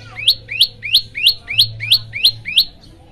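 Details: Olive-backed tailorbird song played to set other birds singing: eight loud, sweeping upslurred whistles in quick even succession, each climbing sharply to a bright peak, then fading out with a faint low hum behind.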